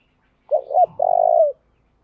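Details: Decoy spotted dove cooing to lure wild doves, delivering a bout of its repeated calling: a short wavering low coo followed at once by a longer, steady, throaty note, clean with no other sounds.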